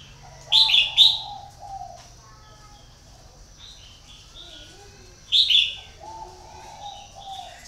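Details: Red-whiskered bulbul kept as a decoy bird for luring others, giving two short, bright, warbled phrases about five seconds apart, with faint low cooing and soft chatter in the background.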